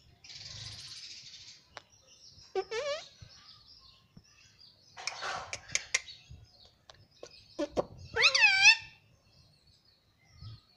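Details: Talking pet parrot that says "mummy" and "papa": a faint hiss and soft clicks, then two loud harmonic, downward-curving squawked syllables, one early and one late, with scattered tapping between.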